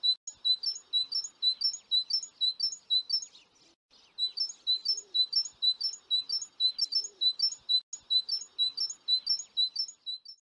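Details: Young great tits just out of the nest on 25 June 2019 give persistent high-pitched chirps, about two each second, in long runs with one short break and faint background sounds.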